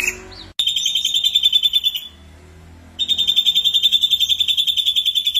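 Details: Energetic ashy drongo lure song: a brief sliding note, then a fast pulsed high trill lasting over a second, a short pause, and the same rapid buzzy trill resuming to the end.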